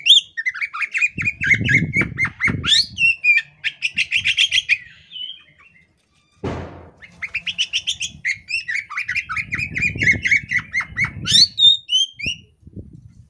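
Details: Female Oriental magpie-robin in breeding condition with tail-spreading display: fast chattering and whistled notes in rapid bursts, varied scratchy and clear elements, a brief pause midway, low rustling thumps underneath.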